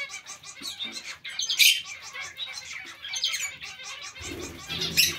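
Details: Zebra finch colony kept together with other small finches, giving dense overlapping nasal chirps and squawks, with a louder burst of calls near the middle and another near the end.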